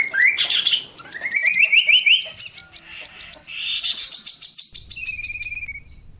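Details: Long song variation of a chestnut-capped babbler (tepus gelagah): rising strings of fast repeated slurred notes climbing in pitch, high thin trills overlapping, ending in a short steady trill.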